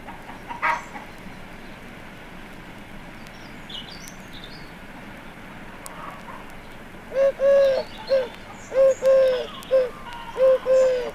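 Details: Eurasian Collared Dove at chicken runs with a few conifers, singing against clucking hens and a singing robin; a quiet start with a few faint chirps, then clear repeated three-part coos in the second half.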